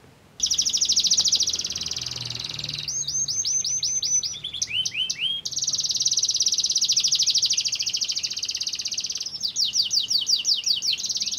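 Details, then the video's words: Singing canary used to provoke other canaries to sing: long dense buzzy trills alternate with phrases of repeated sweeping whistled notes, loud and continuous throughout. "pancingan kenari"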